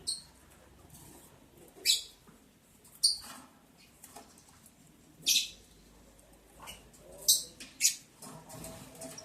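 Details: Lovebirds during mating on the eleventh day of breeding, 11 July 2022: sharp, shrill, high chirps given singly at irregular gaps of one to two seconds, with soft rustling between them indoors.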